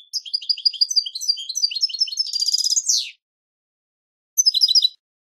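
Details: European goldfinch song from a goldfinch song tape: rapid twittering run of liquid, tinkling notes that ends in a buzzy trill and falling slur. After a pause comes a brief twittering burst. No other sounds.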